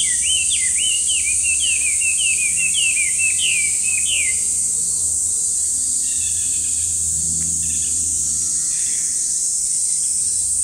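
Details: Chinese hwamei, a noisy bird often heard in parks but hard to spot, giving a fast run of loud whistled notes that rise and fall for about five seconds, then fading phrases, over a constant high-pitched hiss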